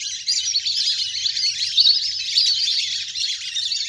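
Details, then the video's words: A big flock of wild ducks playing in the water, recorded for luring birds down. Sharp, high twittering whistles from many birds overlap in a thick, unbroken chatter. "เสียงนกเป็ดน้ำ! ฝูงใหญ่เสียงคมชัดมาก สำหรับต่อเรียกนกให้ลง"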